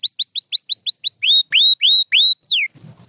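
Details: Song of a pure white canary: seven quick rising whistled notes in an even series, then four longer, lower upswept whistles and a final falling slur, followed by faint low rustling.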